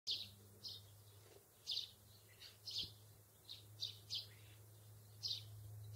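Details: Two wild sparrows visiting a grassy meadow: high, thin chirps given singly or in pairs, about ten across six seconds at uneven intervals, over a steady low hum.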